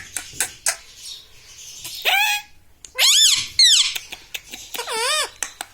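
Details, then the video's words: Pet parrot kept indoors, imitating words such as mummy and papa; soft clicks followed by three separate squeaky, swooping word-like calls, the last wavering. "Mummy vala parrot || parrots talking papa || me tota vala parrot"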